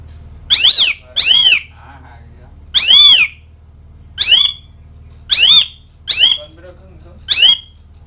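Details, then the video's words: Asian pied starling calling to companions and rivals with seven loud, wheezy, downslurred squawks spaced irregularly about a second apart over a low background hum. "NADA KICAU CALLING JALAK SUREN MEMANGGIL LAWAN"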